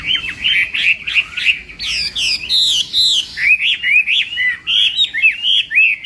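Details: Chinese hwamei singing in the morning to train its voice for contests: strongly pulsed phrases of sharp whistled notes, some in quick repeated pairs, rising and falling, with a clean pause between each burst.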